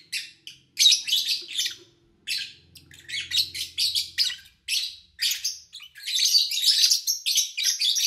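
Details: Lovebirds recorded in August 2019 in a quiet home: steady runs of sharp, high chirps that build into continuous shrill chatter near the end, over a faint low hum.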